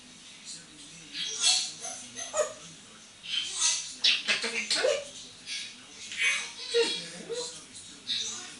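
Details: Hand-trained eight-year-old female African grey parrot, moulting a bit, playing on a bathroom towel rail; bursts of harsh, scratchy chatter and squawks come in quick clusters with short tonal notes between.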